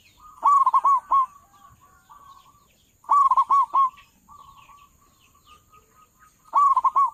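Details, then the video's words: Local zebra dove prized by trappers as a lure for its loud voice, repeating bursts of quick, rolling coo notes about every three seconds, with quieter drawn-out coos filling the gaps. "perkutut lokal suara besar cocok buat para pemikat burung perkutut"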